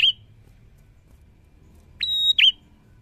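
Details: Prinia in lively song: a high note clipped at the start, then after a pause one phrase of a short buzzy burst, a steady high whistle and a sharp downward-swooping note, with faint low rumble behind.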